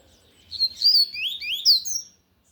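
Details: Loud Tui Tui style song of a lined seedeater: a two-second phrase of bright, high, slurred whistles rising and falling in quick succession, ending abruptly in silence.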